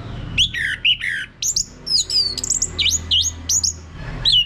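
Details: Male anis merah, the orange-headed thrush, singing ngeplong to prompt other birds to sing: loud, varied whistled phrases with sweeping upward and downward slurs, delivered in quick separate bursts with short gaps.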